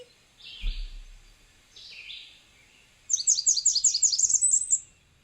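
A Blackburnian Warbler sings a high, thin song in three parts: two wheezy phrases, then a fast run of sharp notes climbing higher at the end.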